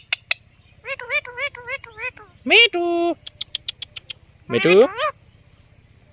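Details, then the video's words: Indian ringneck parrot talking while on a table: a string of mimicked speech-like phrases in clear harmonic tones, some notes rising and bending, with short clicks between phrases and a low steady hum beneath. "Parrot Talking and Dancing on Table"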